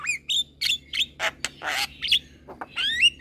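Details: Young Javan myna singing and nodding: rising whistles alternate with grating, noisy squawks and short chatter, ending in a bright upward-sweeping whistle.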